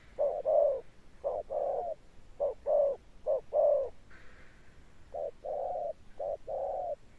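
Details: A decoy spotted dove with a thunder-tone coo. Groups of low hollow coos are broken by a pause with a brief higher scraping noise, then resume as short-long pairs.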